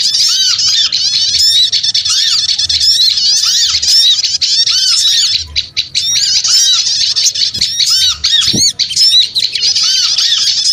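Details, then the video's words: Small birds chattering noisily as a bird lure, a continuous wall of high, squeaky, arched notes with repeated lower downslurred whistles, barely pausing across the whole stretch; a couple of soft knocks near the end. "Suara Pikat Burung Kecil Ribut Ampuh"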